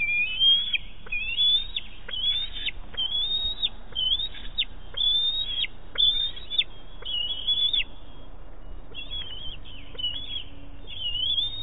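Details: Bald eaglet on the Big Bear nest, 5.7.18, squealing for food around a fish hand-off from its mother: a rapid run of shrill rising-falling whistled squeals, about one each second, with a brief pause near the end.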